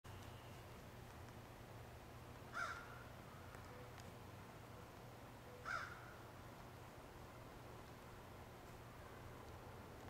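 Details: Crow calling in woods: two short harsh caws about three seconds apart, separated by long quiet stretches with steady low background hum.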